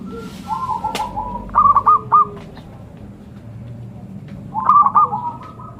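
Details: Zebra dove song: a softer beaded run, then a crisp burst of three rolling coos, then a pause and another similar burst near the end, over low background noise.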